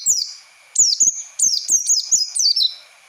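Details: Continuous high, sweet twittering of an Oriental white-eye used as a lure to teach untrained birds ngalas song: a chain of about eight quick slurred notes stepping downward, delivered almost without break.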